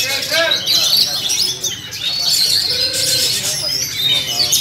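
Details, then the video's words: Duet by two kacer, or oriental magpie-robins, from Sumatra, kept in South Cikarang, Indonesia; bright clear whistled notes and quick trills alternate in rapid bursts, with a lower warbled phrase near the end and continuous chatter behind. "Burung Kacer "Geger & Jupe" duet maut"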